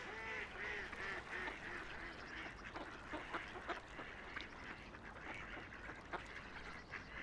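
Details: Ducks on a quiet river, floating and splashing; a run of harsh quacks opens, then scattered nasal calls and sharp splashes over steady flowing water.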